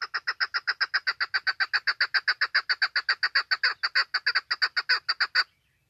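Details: Female chukar call used as a hunting lure: a fast, regular run of over thirty harsh clucking notes at nearly four per second, sustained for five seconds before ending suddenly, with a quiet background.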